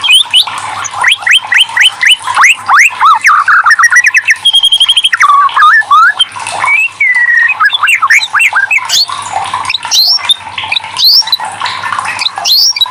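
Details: Lure song of the white-rumped shama, played to get lazy birds singing: a long, rich, varied song of rapid rising whistles, fast trills and buzzy rattles, pausing briefly midway before resuming, with a faint steady hum.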